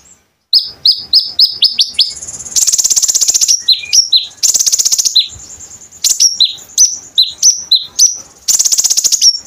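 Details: Konin bird in lively song, used as tutor material for kolibri ninja birds, with 'tembakan' bursts: rapid sharp high chirps with downslurred notes, then loud buzzy rattling trills repeated in waves.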